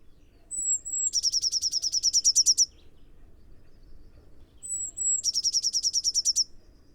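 Blue tit singing twice: one or two thin, very high notes, then a fast, even trill of about fifteen bright notes lasting over a second.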